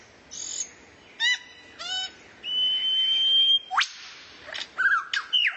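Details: Tutor song of a rare bird used to train kacer: scattered chirps and stacked ticking notes, then a long level high whistle, a sharp upward sweep, and short falling whistled phrases.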